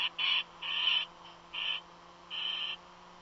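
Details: Bird calling from a nest, stated not to be an eagle: four harsh, wheezy screeches at irregular intervals, each under half a second, over faint electrical hum.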